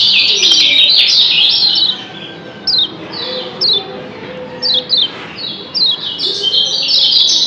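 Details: Lombok yellow white-eyes (kecial kuning) answering each other with thin, high chirps: a dense twittering burst opens and closes the clip, with quick single 'ciak' notes between, about every half second.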